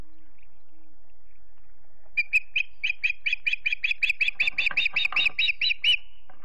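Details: Ospreys at a Montana nest in Charlo before sundown, 9 September 2016, on a live cam: near silence at first, then a sudden series of sharp whistled chirps, quickening to about three per second before stopping.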